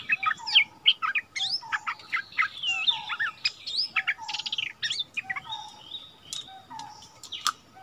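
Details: Caged decoy bulbul back in its old haunt, in a song duel with the territory's new resident, February 2021; rapid bubbling chirps and rising whistles about three per second, with soft lower notes and background hiss.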